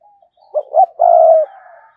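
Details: Spotted dove used as a lure bird, cooing and calling to draw wild doves for trapping, 2022; low, hollow coos: two short rising notes, then one long steady drawn-out coo, against a quiet background.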